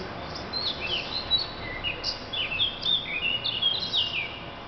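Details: A singing thrush strings together varied phrases: bright whistled slurs, trills and sharp chirps, constantly changing, in a lively continuous flow over soft steady noise.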